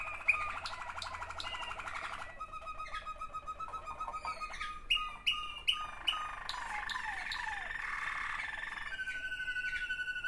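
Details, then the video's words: Waterslager canary, one of two siblings, indoors; varied song mixing rolling trills, short repeated rising whistles and sharp chirps, ending in a long steady hollow trill. "waterslager 2 αδερφάκια."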